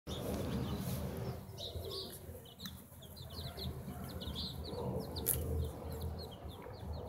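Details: Chicks around a rosemary pot, 20 November 2018, giving thin, high peeps in scattered quick series over a loud low rumbling background.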